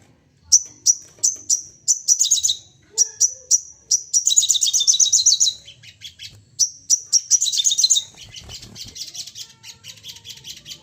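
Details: Excited crested jay firing calls in series, used as a prompt for other birds: a string of sharp, evenly spaced whistled notes interrupted by three fast high rattles, trailing into softer chatter and light noise.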